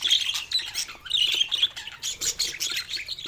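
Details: Baby budgerigar giving its first calls: harsh, raspy high squawks in uneven bursts of about one a second, with short chirps between them and no other clear sounds.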